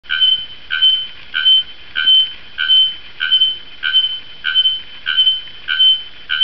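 A Bare-throated Bellbird gives loud, ringing metallic notes, each a short clang that rings on briefly, repeated steadily about every two-thirds of a second.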